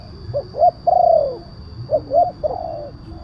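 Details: Lure call of a spotted dove, 'kuk 1' with a big voice: two short rising coos, then a long falling coo, the pattern repeated once more and softer, over low background rumble.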